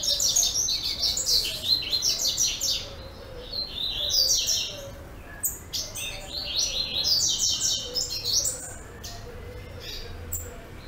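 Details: Double-collared seedeater, a captive-bred male recorded 10 April 2014 in Brazil, sings a fast, high, twittering song of sweet chirps and buzzy trills in tight bursts, with a faint low hum underneath.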